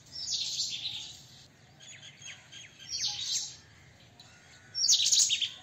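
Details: White-throated kingfisher making harsh high chattering bursts at the start, middle and end, the last loudest, while another bird adds quick descending whistled slurs in between.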